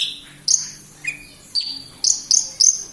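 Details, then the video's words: Short burst of branjangan lark song from Kediri: a few separate high whistles, some rising and some falling, then three quick bright chirps at the end. "Branjagan gacor"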